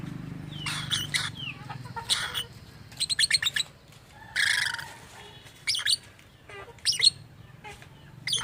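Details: Captive lovebird with unusual vocalizations described as copying human speech: clusters of rapid clicking chirps, raspy squawks and thin whistles in uneven bursts, with a faint low hum underneath.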